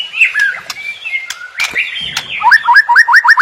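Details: White-rumped shama song: varied whistles, then a rhythmic run of identical upswept notes repeated about four times a second, with a few sharp clicks.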